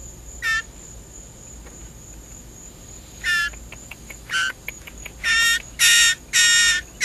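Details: A young hand-fed Blue Jay, hungry and shrieking for food during feeding about a week into hand-rearing, gives harsh, nasal shrieks, short at first, then longer and closer together, over a steady high electronic whine.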